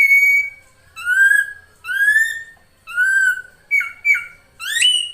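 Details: Drongo female calling to draw in the male, a lure sound: clear rising whistled notes with rich overtones, about one per second, then quick downslurred whistles and a final upswept note.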